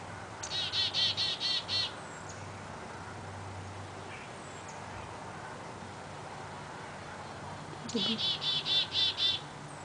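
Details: A noisy Black-capped Chickadee, recorded 9 November 2009 near a gray fox pup, gives two bursts of harsh, buzzy dee-dee-dee calls several seconds apart.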